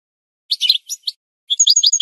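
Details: Goldfinch from a song-training recording for birds: a few short, high, scratchy chirps, a brief gap, then a quick burst of tinkling twittered notes.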